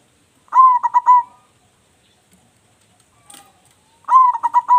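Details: Active, loud-voiced local zebra dove kept as a lure: two mellow phrases, each a bright rising coo followed by a stuttering series of short coos, separated by near silence.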